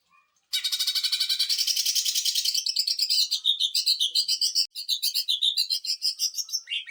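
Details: Greater green leafbird in the machine-gun 'sewing machine' song style used to tutor and rile other birds: a long, dense, high rattling trill of rapid repeated notes, briefly broken, then resuming with wavering pitch.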